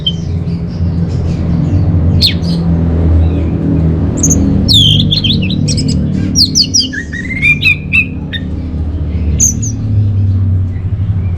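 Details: Orange-headed thrush, played as a lure and master song for caged birds: scattered sharp notes give way to a run of downward-sliding whistles and twisting phrases, steady low hum underneath.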